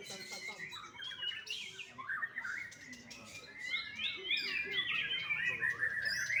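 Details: Bali farm-bred young white-rumped shama giving rapid, jumbled song: sharp chips and trills first, then looping whistled phrases that rise and fall, growing louder toward the end.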